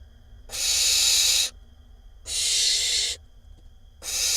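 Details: A barn owl nestling in a nest box in Israel on 20 May 2021 gives long, harsh, breathy hisses, each about a second long, repeated every couple of seconds with quiet gaps between.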